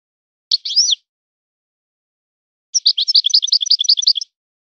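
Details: European goldfinch, singing in a trained style, gives a brief twangy twitter, then after a silent gap a longer run of rapid, regularly repeated high chirps.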